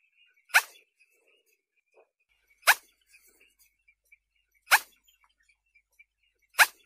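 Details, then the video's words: Eurasian spoonbill giving four short, hoarse, sneezing grunts about two seconds apart, with faint thin twittering in the background. "Eurasian spoonbill call, spoonbill sound"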